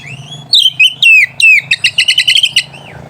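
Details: White-rumped shama song meant to provoke rival birds and arouse mating: loud whistled phrases sliding down from high notes, then a fast run of repeated chattering notes, with a low hum beneath.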